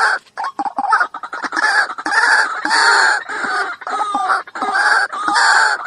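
A White-breasted waterhen gives loud, harsh, croaking notes in quick, uneven bursts, about one or two a second, with clucking sounds between them.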